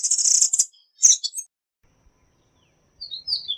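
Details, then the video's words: A tanager sends out a dense, buzzy twittering burst, then a few sharp chips, a pause and thin, slurred whistles rising at the end. "SONIDO DE LAS TANGARAS"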